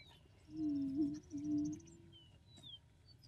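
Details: A low, hollow booming note from an Attwater's prairie-chicken, about a second and a half long and briefly broken in the middle, over faint high twittering and whistles of other birds.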